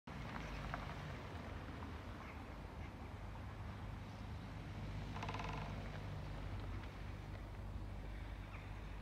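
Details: Male great spotted woodpecker, one of a pair, drumming at intervals at the entrance to a nursing home at Haga, Sundsvall, Sweden, 5 February 2022: a single rapid drum roll lasting about half a second midway, over steady low traffic rumble.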